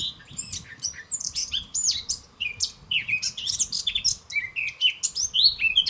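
A European goldfinch sings a fast, tinkling run of twittering notes and liquid trills, bright and high, with almost no pauses. A faint low rumble sits underneath.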